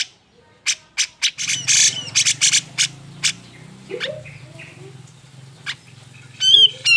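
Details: Grey-cheeked bulbul giving an agitated, emotional song meant to provoke reluctant birds of its kind into singing: sharp harsh bursts and short squawks, a brief whistled note near the end, over a low steady hum.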